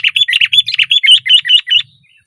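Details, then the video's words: Sooty-headed bulbul singing loudly while on a branch, a fast continuous stream of rich, bubbly chirps and slurred whistles lasting about two seconds, then silence. "SUARA BURUNG KUTILANG GACOR KERAS KETIKA DIATAS RANTING"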